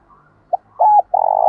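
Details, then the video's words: Spotted dove call in the lowland 'đồng thổ' style, used as a lure to draw wild doves in fast: a short note, a doubled arched coo, then a long sustained, slightly rolling coo, over a faint background hum. "Chim cu gáy _ tiếng thúc và gáy gọi, tiếng chim cu gáy giọng đồng thổ thúc đấu dút bổi về nhanh"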